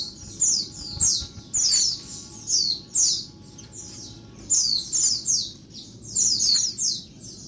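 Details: Female Oriental white-eye in daytime, giving loud, noisy calls that stir males: bright, high, falling squeaks in tight groups of two to four, separated by brief pauses, against a quiet background.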